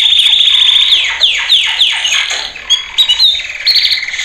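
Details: Male canary singing a training song: rolling trill, then several loud downward-swooping whistles at about three per second, followed by short chirps and a rising whistled phrase.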